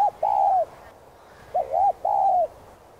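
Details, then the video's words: Spotted dove cooing in Vietnam: two low, hollow coo phrases, each a brief note followed by a longer drawn-out mellow coo, with a faint hiss in the background. "Chim Cu Gáy Thúc, Gù 2 Kích Bổi Nhanh Nổi.Tiếng Cu Gáy Giọng Hạp BổI.Cu Đất Gáy, Cu cườm"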